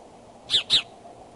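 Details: Two brief, high, clear piping notes in quick succession from a courting bald eagle at the Decorah nest, 2 February 2012, around 9:30 am.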